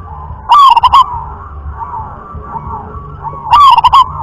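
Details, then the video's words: Rhythm-class singing by a local wild zebra dove, two rising-then-stuttering coo phrases three seconds apart. Soft overlapping calls of other birds run underneath. "jenis suara perkutut lokal kelas irama"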